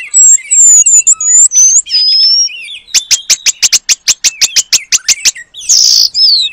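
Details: Oriental magpie-robin in full song, used as training material and copying a long-tailed paradise bird: bright slurred whistles open, followed by about sixteen sharp ticking clicks in quick succession and a final harsh buzzy note.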